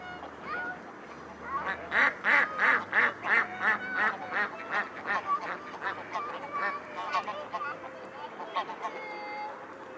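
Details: Mute swans recorded at Blaues Wunder on 13 February 2016, 17:05: a long series of hoarse, nasal honks, about three each second, loudest early then fading into scattered quieter notes and drawn-out tones, with a low background hum.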